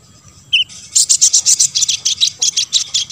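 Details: Olive-backed sunbird singing, a recording played to make other sunbirds respond. After one short high note, a fast run of sharp, high chips repeats about five times per second without pause.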